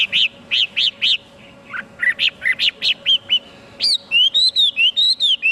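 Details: Chinese hwamei delivers a string of short, bright, repeated whistled notes in even series, then a high, drawn-out wavering whistle. A soft hum underlies it.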